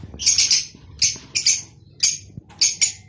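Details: Rosy-faced and Fischer's lovebirds giving mating calls to stimulate breeding: five short bursts of piercing, squeaky chirps, some doubled, spaced roughly half a second apart over a faint low hum.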